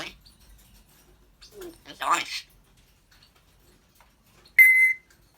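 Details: Talking African grey parrot, known for laughing and burping, gives a speech-like phrase of rough harmonic syllables, then after a pause a loud, clean, level whistle lasting about half a second.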